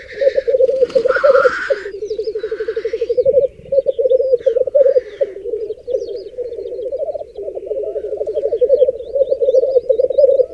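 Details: Black grouse lek on a protected raised bog in the Berezinsky Biosphere Reserve, nearly all females clustered by one displaying male: dense overlapping low bubbling from several cocks, harsh hissing bursts early, and faint high chirps.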